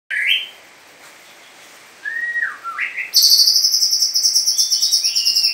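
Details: A 7-month-old White-rumped shama imitating a cililin gives a few clear, rising whistles, then breaks into a long, rapid, high-pitched trill that runs on for several seconds.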